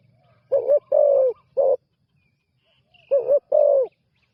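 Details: Spotted dove, a newly kept bird on its first training outing, cooing: a group of three low, hollow coo notes, a pause of over a second, then two more coos, against near silence.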